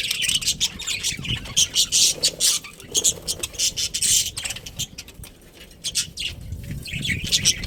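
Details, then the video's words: A colony of breeding budgerigars gives rapid, bright, chattering chirps in quick bursts, loudest in the first half, easing briefly mid-clip before the busy twittering resumes over low background rumble. "Cute Budgies Chirping Sounds"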